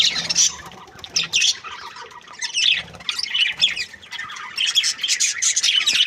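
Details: Happy budgerigar breeding pair chattering: rapid scratchy chirps, squeaks and squawks in bursts, with quieter stretches between them.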